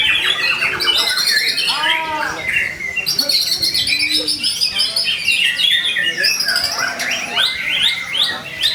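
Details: White-rumped shama in full, varied song, used as a lure to make other shamas sing: fast trills, looping whistles, buzzy rattles and chirps follow one another without pause.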